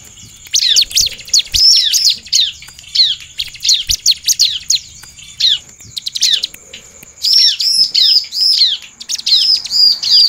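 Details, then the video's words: Lively, emotive bar-winged prinia song with a female's call, used to prompt other prinias to respond: bursts of sharp, high, down-slurred chirps in quick runs, about five or six notes a second, over a steady thin high whine. "Ciblek gacor penuh emosi dan suara ciblek betina"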